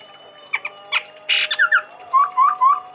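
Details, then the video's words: Chestnut-rumped babbler from Sumatra, kept as a songbird, gives harsh clipped notes and a rasping burst, then three clear rising whistles repeated evenly, each about a quarter-second apart. "Tepus Tunggir Merah Gacor"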